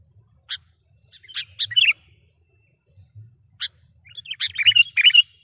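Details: Trapping lure call of a sooty-headed bulbul: scattered single chirps and short clusters of bright, bubbly notes, ending in a louder run of rising and falling warbled phrases over a faint constant high tone.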